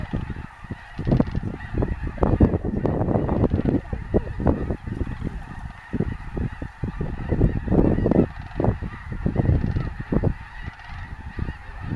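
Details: A large flock of snow geese at Bosque del Apache National Wildlife Refuge, a wintering refuge, keeps up a loud, continuous roar of overlapping harsh honks that swells and fades over twelve seconds.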